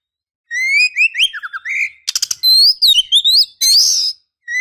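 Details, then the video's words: Luring a male, a female Oriental magpie-robin gives clear rising and falling whistles, a quick burst of sharp stuttering notes, more swooping whistles, and a rough, noisy buzz, all nearly continuous. "Suara Gacor Kacer betina memancing jantan"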